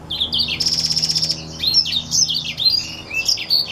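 Black-throated x Reichenow's seedeater hybrid singing a quick, high, canary-like warble: sweet slurred notes around a buzzy rattled trill, then rapid varied phrases, with a faint low hum behind.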